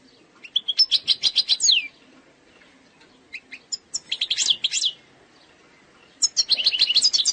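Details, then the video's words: Eastern sector style song of an Algerian goldfinch, presented as free of faults: three bursts of bright, high chattering twitters separated by pauses, the middle one starting with scattered single chips. "تغريد مقنين جزائري سكتور شرقي 🌶️🌶️ خالي من الأخطاء"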